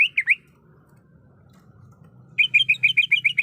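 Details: Female greater green leafbird in breeding condition calling a male: three sharp slurred chirps, a two-second pause, then a quick even run of about ten bright chirps.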